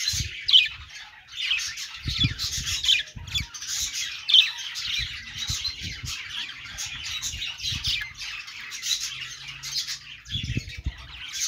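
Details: Happy budgerigar noises: continuous high, chattering warble with squeaky chirps and sharp clicks, overlaid by irregular low thumps and knocks.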